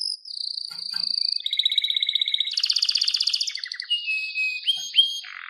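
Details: Canary song meant to train other canaries: chained trills at shifting pitches, a loud buzzy rolling section, then slurred whistles and sharp upward flicks.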